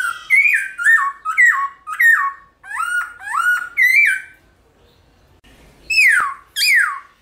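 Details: Morning song of a black-throated laughingthrush, used to spur other birds into singing: a run of clear whistled notes sliding downward in a repeated pattern, then a pause and two louder descending whistles.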